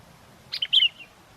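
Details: Sooty-headed bulbul singing lively in strong wind during bird luring: a brief cluster of three quick bright chirps, the last a longer warbled whistle, over a quiet background.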